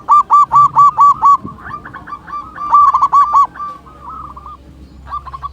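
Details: Local zebra dove, a frequent singer with a large voice, opening with a rapid string of six loud hooked coos, followed by wavering quieter notes, a second rapid burst and scattered softer coos.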